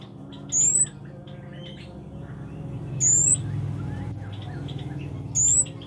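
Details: Kemade, the Scarlet-backed flowerpecker, in active song: three sharp, very high, slightly rising whistles spaced about two and a half seconds apart, set against a rumbling low noise and scattered faint bird twitters.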